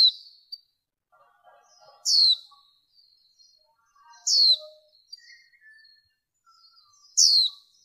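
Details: A noise-reduced female warbling white-eye recording, used to lure wild birds in 2023: thin, loud, downward-sweeping notes about every two and a half seconds, with faint lower chatter between them.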